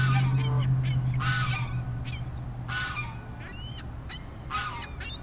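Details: A pair of Ring-billed gulls at a pond in Diamondhead, Mississippi, in January 2016 give harsh, nasal squealing cries about once a second, some rising and some falling, with Canada Geese in the background over a steady low hum.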